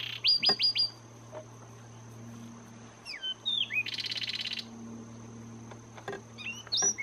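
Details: Zapata Wren singing in Zapata Swamp National Park, Cuba: a quick burst of sharp descending whistles, then loud slurred whistled phrases and a dry, buzzy trill, with more bright whistles later over a steady low hum and faint tone.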